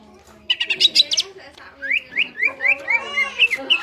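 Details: Caged greater green leafbird singing energetically, used as a reference for training other birds: a burst of sharp chattering notes, then a series of varied whistled slurred phrases repeated roughly every quarter second, lively and mimic-like.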